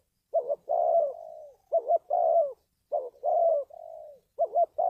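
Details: Spotted dove cooing to lure wild doves for trapping: a two-part stutter then a long, level, hoarse coo, sometimes extended by a second drawn note, repeated steadily across the clip.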